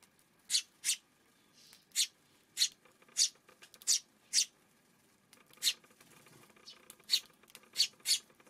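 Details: Eurasian tree sparrow chirping on an afternoon in June, around a dozen short, buzzy notes often given in close pairs, with brief pauses between groups over a quiet background.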